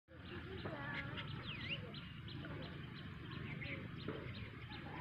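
A black myna gives scattered whistles and chirps, including one swooping, rising whistle, over a steady low rumble with possible voices in the background.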